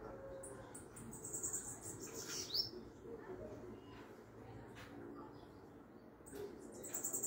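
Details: Bananaquit song played to stimulate and excite other birds of its kind: very high, thin, buzzy trilled bursts early on and again at the end, with a quick sharp sweep between, over a steady low background rumble.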